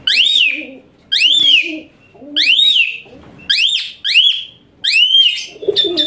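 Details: Shrill, rising-then-falling whistled phrases from an Asian pied starling used to train other birds, repeated roughly once a second, with a low cooing bird audible in the background.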